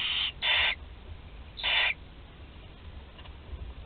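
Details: Clean, loud hissing screeches from barn owl chicks at Théding, France, on 20 July 2020, a 13-day-old among them swallowing prey whole; a quick pair of calls then a third, followed by near quiet.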